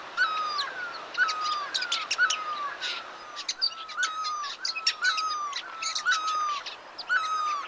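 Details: Several chestnut-bellied nuthatches at an old factory site on the Sattal bypass road, India, early November 2022: steady falling whistled calls about once per second amid busy high-pitched chirps and clicks from other birds.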